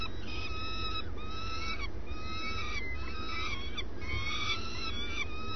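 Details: Swift at the nest early in the day, producing thin nasal calls that rise and fall, in irregular quick groups, against a low steady rumble.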